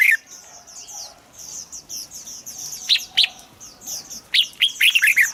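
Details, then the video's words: Red-whiskered bulbul song, played to rouse birds into singing: bursts of bright, warbled, rising and falling notes near the end, with a steady chatter of thin, high, downslurred chirps throughout. "เสียงนกกรงหัวจุก สำหรับต่อ หรือ เปิดให้นกคึก เสียงเพราะๆ"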